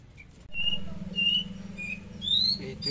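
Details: Javan bush lark singing in a trotol, tembakan style: a few separate clear whistled notes, each held briefly, the last one rising higher, over a steady low hum.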